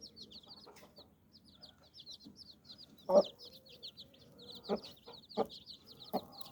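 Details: Mother hen with nine chicks under her wings, clucking to gather them for protection or rest; a few low, abrupt clucks near the end under a steady stream of high, thin chick peeps.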